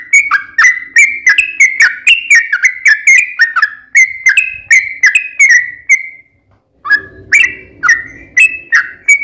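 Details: Yellow-vented bulbul in lively gacor ropel panjang song, played as a lure to set other bulbuls singing: a six-second run of quick, bubbly, slightly falling notes, a brief silence, then the rolling phrases resume over a soft low rumble.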